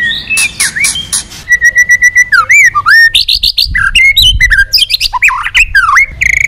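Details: Loud, many-voiced white-rumped shama song from a female stimulating the male: rapid varied phrases of steady whistles, repeated notes, harsh buzzy bursts and swooping slurs, packed closely together.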